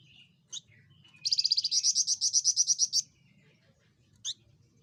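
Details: Javan fulvetta, a small insectivorous bird with a loud voice. A sharp high note comes first, then a rapid high trill of some sixteen pulsed notes over nearly two seconds. A single sharp note ends it.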